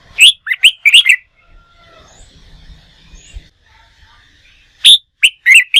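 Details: Red-whiskered bulbul trained for song contests, a newly wild-caught bird: a quick run of bright whistled notes, a quiet gap with faint murmuring, then one sharp high note followed by another rapid whistled phrase.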